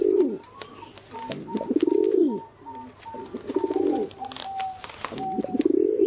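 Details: Pigeon giving repeated deep, purring coos that rise and fall, about four phrases with short gaps, over a faint steady whistle-like tone and scattered clicks.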